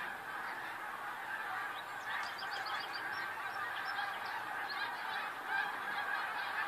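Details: Dense chorus from a huge flock of snow geese recorded February 28, 2013, countless honks merging into a roar, with short bursts of sharper, higher yelps in the middle.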